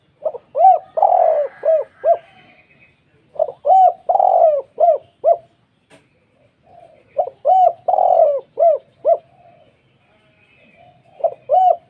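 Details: Spotted dove with a thick, deep voice repeating its distinctive 'kuk 2' call in four regular phrases, each of short rounded coos around one longer rolling coo.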